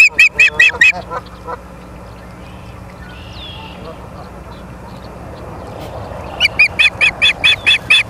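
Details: Ospreys at Charlo, Montana, on a live nature cam, 30 August 2023: a burst of about six sharp, whistled chirps, a quiet gap with faint background hum, then a second regular run of about eight chirps, roughly four per second.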